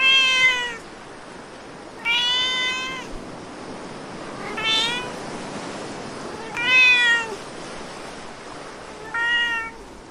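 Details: On a rainy day, a gull teasing a cat gives five drawn-out, mewing calls, each rising then falling, about two seconds apart, over a soft steady hiss of rain.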